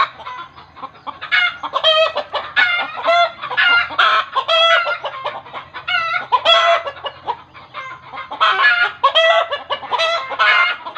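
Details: Long, agitated chicken chorus, said in village belief to happen when the birds see a ghost: dense, raspy squawks and cackles pour out in uneven clusters, with short lulls near the middle and after eight seconds.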